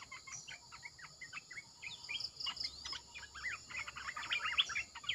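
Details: Red-eyed bulbul decoy song, a rapid jumble of short chirped and slurred whistles that grows louder and busier toward the end, with a few thin higher notes and soft background noise.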